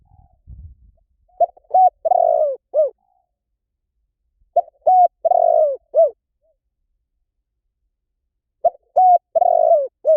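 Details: Spotted dove giving soft, low cooing phrases: a brief coo, a longer rolling purred coo, then a falling final note, repeated three times about every three and a half seconds; faint low rumble at the start.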